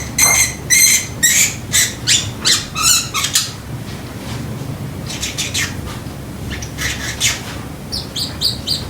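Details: Pacific parrotlet, a pet bird indoors, imitating a kitchen timer: a rapid series of bright, ringing beep-like notes, about ten in three seconds, followed by softer scattered high chirps.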